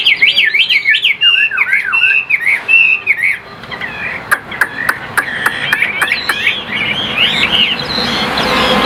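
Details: Caged Chinese hwamei in Vietnam singing loud, rapid whistled phrases that swoop up and down in quick zigzags, then sharper clipped notes with a few clicking sounds near the end.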